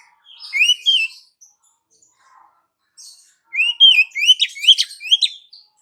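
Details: Calls of a female Oriental magpie-robin to the male: a short pair of whistled slurs, a pause, then a fast run of rising whistles and scratchy chatter.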